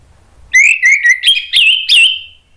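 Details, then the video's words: Lure song of an Orange-headed thrush, used to set other thrushes answering and singing: a string of six clear whistled notes, the first level and lower, the later ones stepping up higher and wavering, closing on a drawn-out note. "bikin ANIS MERAH lain jadi ikut NYAUT NGEPLONG ¦ PANCINGAN AM"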